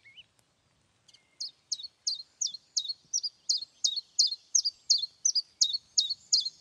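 Common Chiffchaff song: a steady string of sharp, high two-note chiff-chaff notes, about three per second, with nothing else heard.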